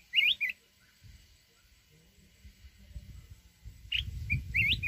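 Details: A red-whiskered bulbul sings a wild-type song used to provoke trap-fighting birds, two short bursts of bright, liquid warbling phrases, one at each end, with low rumbling noise between them.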